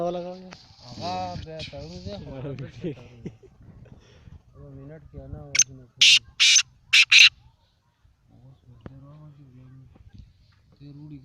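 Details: A black francolin calling in winter in Pakistan gives four loud, harsh, grating notes in quick succession, with a man talking before and after.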